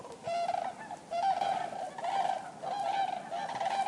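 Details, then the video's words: Several common cranes trumpeting together in pulsing waves, roughly one surge per second, each wave a tangle of resonant honks from many birds. "Common crane | Crane Bird Sound Effects"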